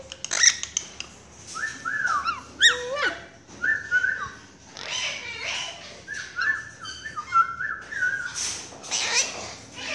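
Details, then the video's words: Pet Quaker parakeet calling for its owner as "mommy"; repeated whistled notes with a short falling slide, clustered in twos and threes, with people talking softly in a room. "Quaker parakeet ...calling mommy"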